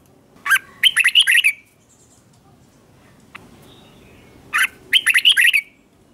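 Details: Red-whiskered bulbul morning song used for song training, in an intense 'ché kích bổi' chattering style: two bursts of about a second each, fast bright chirping notes, separated by a few seconds of quiet.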